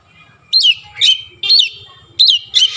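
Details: Oriental magpie-robin singing, its song trained with Javan myna phrases: five loud, short whistled notes, each dropping sharply in pitch, delivered in irregular bursts with brief silences between.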